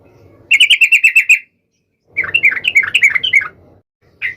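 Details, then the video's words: Sooty-headed bulbul singing in a bout meant to call and provoke a rival: a burst of about eight quick, bright chattering notes, a pause, then a longer run of varied bubbling, warbled phrases, and a final short note starting. "SUARA trucukan gacor MEMANGGIL LAWAN"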